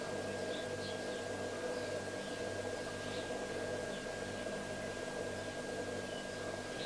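Steady electrical hum and hiss fill a quiet indoor space, with a constant whine and no animal sound.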